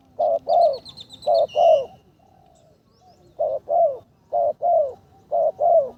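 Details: A training decoy spotted dove on its third session coos in paired phrases, a short note then a longer falling one, repeated roughly once a second. Faint high chirps from another bird come early on.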